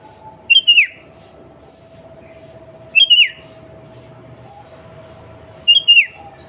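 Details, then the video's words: Sooty-headed bulbul female calling to a male, used as a daily lure to make bulbuls sing. Three short whistled phrases, each a high note dropping into a slurred fall, spaced about two and a half seconds apart, with faint hum between. "Suara Burung Kutilang Pancingan Harian Paling Ampuh"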